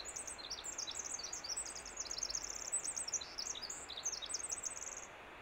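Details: A winter wren singing on Vancouver Island in spring pours out a long, rapid cascade of very high, tinkling notes and buzzy trills for about five seconds over a steady background hiss.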